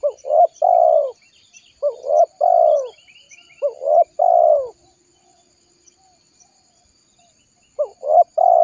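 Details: Spotted dove call used as a lure to bring wild doves in for trapping: low, mellow cooing phrases of a short note and a longer rolling coo, repeated in bursts about every two seconds, with faint high chirps of other birds.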